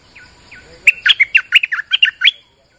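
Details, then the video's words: During rain, a bulbul gives lure song: two soft downslurred whistles, then a loud, fast sequence of about ten bright, chirping, slurred notes that stops abruptly. "Suara pikat merbah lekir gacor"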